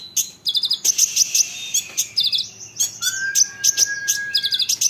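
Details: Olive-backed sunbird song intended to provoke answering sunbirds: dense, very high twittering with quick trilled chip clusters, plus one long, steady lower whistle held for about two seconds near the end.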